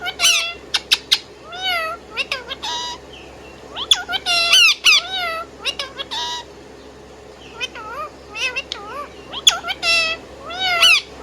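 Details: Pet Indian ringneck parrot whistling and chirping steadily, mixing quick sharp clicks with looping, wavering whistles and brief harsh bursts, in bouts throughout.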